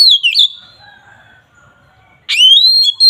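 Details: Oriental magpie-robin (kacer) agitated 'ngeplong' song for provoking rival birds; a clear descending whistled phrase, quiet gap with faint background tones, then a steeply rising whistle held as a steady note.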